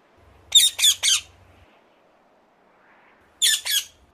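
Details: Ring-necked parakeet calling: a quick run of three harsh, raspy, high squawks, a second of quiet, then two more grating squawks. A faint low hum sits underneath.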